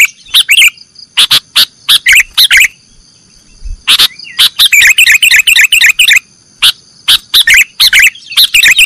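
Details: Training recording of a sooty-headed bulbul singing nggaruda style for cage birds: short clipped chirps open, a gap follows, then a flowing sequence of quick warbling, chattering phrases builds toward the end.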